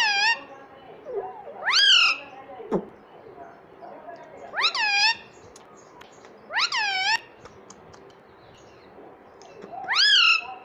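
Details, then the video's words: Pet Indian ringneck parakeet speaking "mummy": four loud, strongly harmonic calls, each sweeping steeply up then levelling, spaced a few seconds apart over a quiet indoor hum. "Parrot Sound _ Mummy Bolne Wala Parrot _ Talking Parrot _ Ringneck beautiful parrot"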